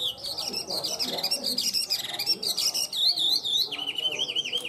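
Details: Tame Chinese hwamei kept in a cage, singing strongly: loud, rich whistled phrases that waver up and down, ending in rapid wavering trills, with a faint low background.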